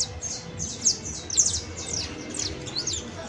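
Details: Saffron finch, described as an exemplary creole canary, delivering a dense run of high, slurred descending notes, some overlapping, with a steady low hum behind.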